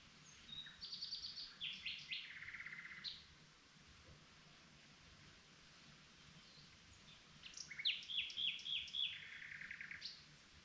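A common nightingale sings two rich phrases several seconds apart, mixing clear whistles with fast, rattling runs of repeated notes over a faint, steady background hiss.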